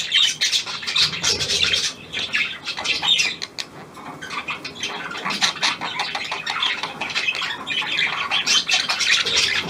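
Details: Harsh squawks and scratchy chattering phrases from a newly acquired hand-tame Australian pied budgerigar, 17 February 2023, with a short quieter dip near the middle.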